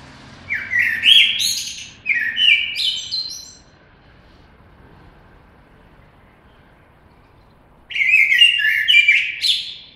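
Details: Common blackbird delivering two fluty warbled phrases in quick succession, each ending in high scratchy twittering, then a pause of about four seconds before another mellow phrase with a squeaky flourish.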